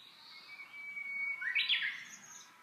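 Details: Japanese bush warbler singing its classic hō-hokekyo song: a long, steady, pure whistle held for about a second, then a quick, bright, warbled flourish that rises and falls. Soft background hiss.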